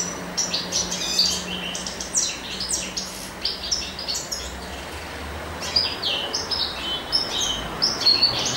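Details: Male European goldfinch singing in spring, apparently courting: rapid bursts of bright twittering notes and buzzy trills high in pitch, tumbling in quick phrases with brief pauses, some clear whistled notes, faint low hum underneath.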